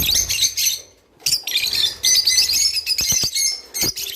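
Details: Java sparrow song, played to make birds mate: a long, continuous, high warbling twitter with ringing bell-like notes, interrupted once by silence and punctuated by sharp clicks.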